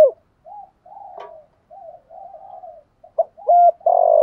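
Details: ["Decoy spotted doves, male and female, in the 'gù thúc' lure style for exciting wild doves. Mostly soft, wavering low murmurs, then a few loud hoots and a sustained coo toward the end."]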